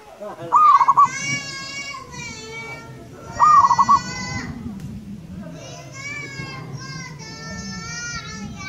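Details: Local wild zebra dove coos twice, each phrase a rising note and fast bubbling pulses, amid nearly continuous loud nasal bleating or voices and background noise.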